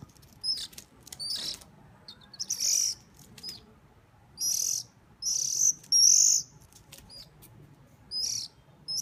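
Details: Hungry bird being hand-fed gives high, strained squealing begging calls in irregular bursts, some long and loud, with faint clicks between them.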